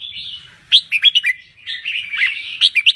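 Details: A Thai red-whiskered bulbul sings in full, active voice. A soft warble is followed by a quick series of sharp, bright slurred notes, then more chattering phrases.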